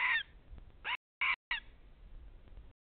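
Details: Greater spotted eagle in Nizhnyaya Kama National Park, 14 April 2020, 9:21–9:26: four harsh, yelping notes, the first longest and the rest sharper, at uneven intervals over about a second and a half; faint background noise.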